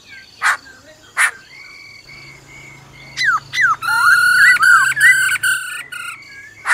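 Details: Black-throated laughingthrush singing in forest style, with the female's rolling trill; sharp clicks open the clip, a steady high note follows, then a run of rich, harmonic, warbling whistles sliding up and down before a final click.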